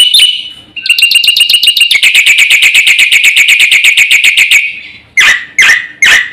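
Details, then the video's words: Energetic Black-winged myna song: a dense, piercing rattle of rapid high notes lasting several seconds, followed by three separate harsh, loud downslurred calls. "suara jalak putih GACOR FULL ISIAN"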